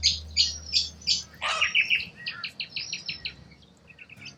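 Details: Wild corella cockatoos in Australia: a run of short, high, scratchy notes about three per second, broken by one loud, harsh, rasping screech, then softer chattering notes fading out.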